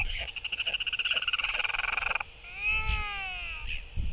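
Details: Northern royal albatross pair at their nest on December 16, 2023, one arriving to take over egg incubation; they greet each other with skycalls reaffirming their bond. A rapid rattling pulsed burst for about two seconds, then a drawn-out harmonic arched tone.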